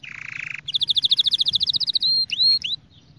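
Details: Singing canary for training: a low buzzing roll, then a very fast, evenly repeated trill, followed by two long steady whistles and swooping curved notes before falling quiet.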